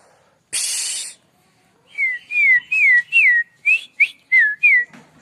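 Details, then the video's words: White-rumped shama (Murai Aceh) giving a short harsh burst, then a string of about eight clear, down-slurred whistles in quick succession, each under half a second. "Murai Aceh"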